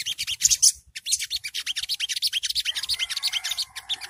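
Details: Sogo ontong, early-stage training audio meant to provoke birds to answer: a dense, rapid run of scratchy high chattering notes, continuous and uneven, with a faint lower hum in the last second.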